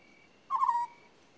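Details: An African scops owl utters one quick purring trill of roughly a third of a second that trails off lower, while a faint, thin, continuous tone hums in the background.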